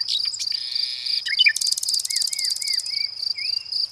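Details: Nightingale song: a rapid, machine-gun burst of pulsed notes, then a series of slurred whistled notes, against a constant high-pitched cricket drone.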